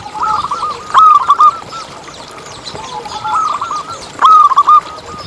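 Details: Local zebra doves singing as a lure for other doves. Rippling strings of quick coos rise and fade, with two louder stuttering phrases standing out from the background chorus.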